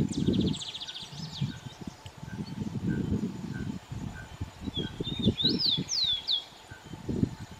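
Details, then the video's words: Rufous-collared sparrow (tico-tico) singing in an urban setting: thin, high slurred whistles and a brief trill, nearly buried under a steady low rumble of wind or traffic. "Lindo canto do tico-tico"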